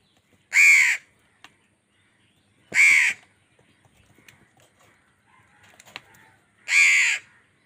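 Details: Angry crow fighting wild birds for food, giving three loud, grating caws spaced two to three seconds apart, with faint clicks and rustling between them.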